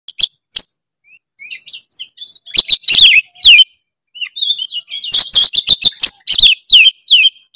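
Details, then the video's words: White-rumped shama song, used as master song for training: high varied whistles and rapid sharp chattering bursts in irregular phrases, with brief pauses between runs. "masteran kacer gacor full isian kacer langsung gacor denger suara kacer satu ini"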